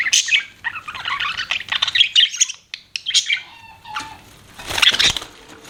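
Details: Pet budgies chattering in scratchy, twittering warbles, a pause with a low steady whistle, then another loud burst of chirps.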